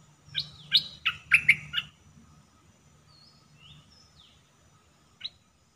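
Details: Red-whiskered bulbul kept in a cage as a decoy for trapping, recorded 1 September 2021. A loud run of five or six sharp whistled notes is followed by faint thin whistles and a single late chirp.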